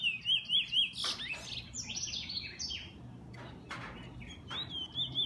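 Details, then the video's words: Pet bullfinch gives a few clear wavering whistles, then a burst of harsh buzzy notes and sharp clicks, ending with thin rising whistles over a low room hum. "Bullfinch 2"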